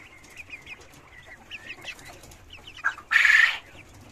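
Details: Cochin chickens and roosters kept in cages on a farm: soft, high chirping clucks repeat irregularly, then a short, loud, harsh squawk bursts out near the end before the quiet clucking resumes.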